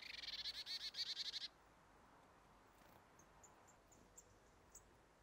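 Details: Marsh tit (Poecile palustris) calling in the evening around 17:30 on 28 October 2023: a quick, buzzy chatter of about a dozen rapid notes in a second and a half, followed by a few faint, thin high notes.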